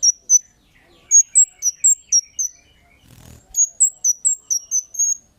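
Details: Lure call of a lively Kemade: steady strings of bright, very high chirps, about four per second, broken by a brief soft thump midway.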